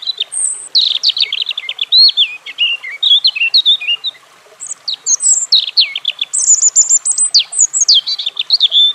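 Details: European robin (Erithacus rubecula) with two long, tumbling phrases of high thin whistles, tinkling notes and rapid rattling trills. A brief silence sits near the middle, and the second phrase starts on sharper, higher notes.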